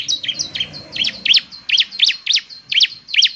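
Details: Bar-winged prinia in lively song that is claimed to trigger singing in others of its kind: a steady series of buzzy, high, down-and-up slurred notes, about three each second.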